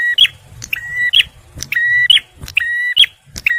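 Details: Male bar-winged prinia in full song, kept for luring and prompting stressed birds: loud buzzy level notes framed by bright clicks, repeated rapidly about once a second over faint low hum.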